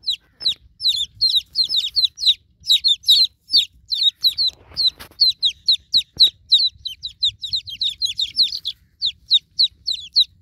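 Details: Continuous, dense peeping of newborn chicken chicks calling for their broody mother hen: sharp, high, down-slurred cheeps pouring out several per second for ten seconds, several birds overlapping.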